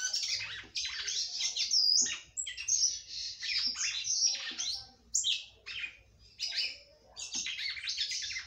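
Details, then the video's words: Caged female red-cowled cardinal singing a great deal to stimulate the male, delivering a continuous string of loud, harsh chirps and slurred whistles broken by brief pauses. "FÊMEA DE GALO DE CAMPINA CANTANDO MUITO PRA FOGUEAR SEU CAMPINA"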